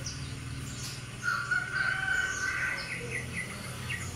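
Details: Sooty-headed bulbul, an albino with white feathers and red eyes, singing a bubbly phrase: a sustained mid-pitched whistle followed by quick rising and falling chirps, with high thin chirps from another bird faintly behind.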